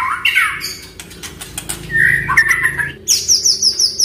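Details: Oriental magpie-robin song used as a prompt for a bird that has stopped singing: a rising whistle, rough scratchy notes, a warbled mid-pitched phrase, then a rapid run of very high chips.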